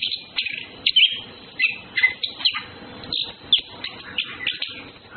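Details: Courting orange-headed thrushes, male and female: a steady run of sharp chirps and short squeaky phrases, about two each second, over faint background hiss.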